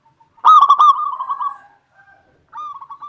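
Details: Local zebra dove in full song, meant to provoke rival doves to sing: a loud stuttering opening that trails into a long rolling, trilled coo, followed after a pause by a quieter cooing phrase.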